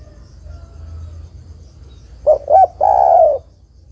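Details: Female spotted dove calling a male. After a quiet start with a faint hum, a single phrase sounds: two short coos and then a long, hoarse, gently falling coo.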